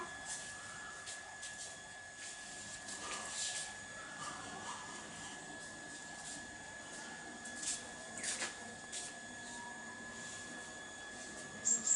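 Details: A steady mechanical hum with scattered clicks and rustles; no clear animal voice stands out.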